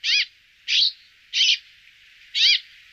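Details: Brambling giving short harsh notes with a downward-curved shape, four in three seconds at uneven gaps, with no other sounds.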